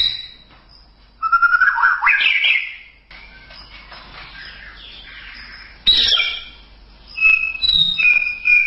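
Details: White-rumped shama masteran recording: a loud rising warbled phrase, soft scratchy notes, a sharp burst of high notes, then a series of clear short whistles, with a faint high whine behind.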